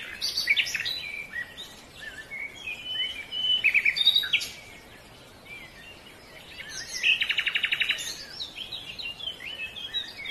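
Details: Silver-breasted broadbill of mid-level foothill and mountain forest: scattered high chirps and slurred notes, then a rapid buzzy pulsed trill lasting about a second, with constant background hiss and other faint high notes.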